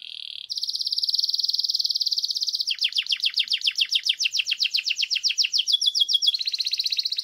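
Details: Canary singing: a short high note, then a long steady buzzy high trill, shifting into rapid repeated sweeping notes about four per second, ending in another sustained trilled phrase.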